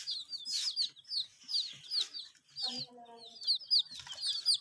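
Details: Domestic chicks chirping while drinking water, kept under provided heat; rapid high, sharply falling peeps from several birds, overlapping irregularly about once a second, with a brief low voiced murmur midway.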